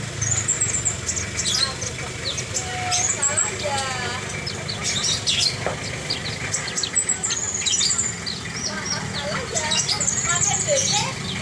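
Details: Horsfield's bush lark in energetic song, a long busy run of high whistles, rapid trilled phrases and downward slurs with scarcely a pause, over constant low rumbling background noise.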